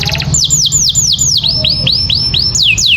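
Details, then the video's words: Canary song for training other birds: a steady run of loud, quick downward-sweeping whistles, about four per second, over a low hum. "SUARA KENARI GACOR UNTUK MASTERAN"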